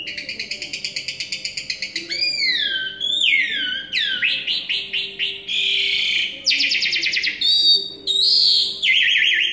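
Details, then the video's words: Asian pied starling from Semarang in full song, fast rattling series, then swooping whistled slides, buzzy harsh bursts and trilled notes in varied succession, with a constant low hum behind. "KING JALAK SUREN GACOR"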